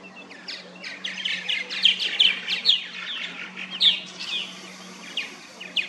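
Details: Purple martins chatter in a busy backyard colony nesting in plastic gourd houses in St. Catharines, Ontario, Canada, giving overlapping bright, gurgling chirps at a quick, uneven pace over a faint low hum.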